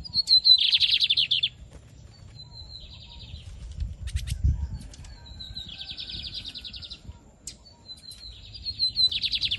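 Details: Captive double-collared seedeater (bigodinho) from a Brazilian breeder, 2023 season. Repeated phrases open with thin whistled notes and run into fast buzzy trills, three times. Soft low rustling and thumps sound between phrases.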